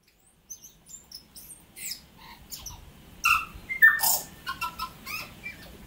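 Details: Tui, a native New Zealand bird, singing a varied song of high thin whistles and short chips, then louder descending whistled notes near the middle, mixed with broadband clicks and wheezy rasps.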